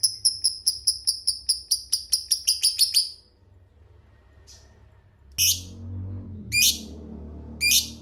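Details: Lovebird giving a 'ngekek' chatter: about three seconds of sharp, high chirps repeated roughly four times a second, then a pause and three separate shrill notes.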